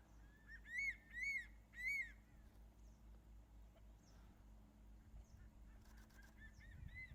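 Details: On Ishigaki Island, Japan, crested serpent eagles call to each other. Three loud, ringing, arched whistles come about half a second apart, followed by a fainter answering series of similar whistled notes over steady low background noise.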